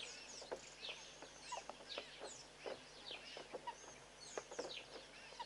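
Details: Southern pied babbler hopping along a fence, giving harsh, chattering calls: quick overlapping downslurred notes repeated steadily throughout, with several sharp accented chips standing out.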